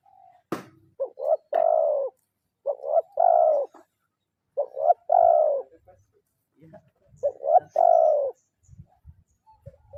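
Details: Spotted dove lure bird in the kuk 0-1 style, calling a rival: four regular phrases, each a clipped double coo and a longer falling hoarse coo, after a sharp click at the start and faint noises between phrases.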